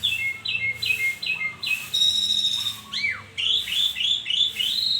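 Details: Morning song of an Asian pied starling, with short falling whistles repeated in a row, a sustained bright note, then a sweeping slur and quick rising whistles.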